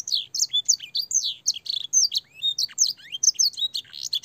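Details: Canary master song with blackthroat and sanger fill, sung clearly for young canaries to learn; lively high chirps mixed with slurred rising and falling whistles and brief buzzy notes in quick succession.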